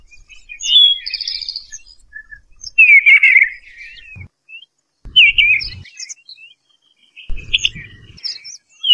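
Eastern bluebird giving soft, warbled phrases of a few notes every couple of seconds, with low thumps between phrases.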